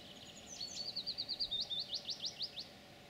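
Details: European pied flycatcher singing on 9 June 2019. A high phrase opens with thin sliding notes, then a quick run of about a dozen evenly spaced, clipped repeated notes, fading at the end; soft background hum.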